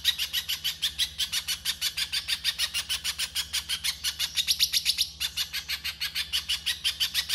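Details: Pijantung pisang (little spiderhunter) delivering a 'konslet' song for masteran: long series of harsh, rasping high chips at a quick, slightly uneven pace, with a brief stumble near the five-second mark; faint hum underneath.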